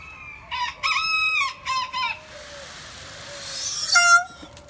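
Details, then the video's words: At a retreat center in Geyserville, California, a rooster gives a loud, harsh crow of several drawn-out, ringing syllables over about a second and a half, then a shorter call a few seconds later. "Roosters Crowing"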